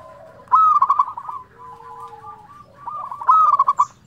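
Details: Local zebra dove singing strongly in a flute-like style: two phrases, each a sharp rising whistle into a quick run of bubbling coos, with a softer cooing between them.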